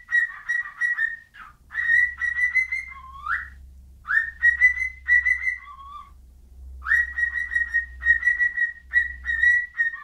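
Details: Bird whistling a string of clear, steady notes near one pitch, a few short trills and lower dipping phrases between, in bursts separated by brief pauses; faint low hum underneath.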